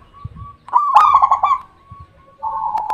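A zebra dove gives soft, mid-pitched cooing, breaking into a quick stuttering trill of rolled notes before settling back into a steady coo.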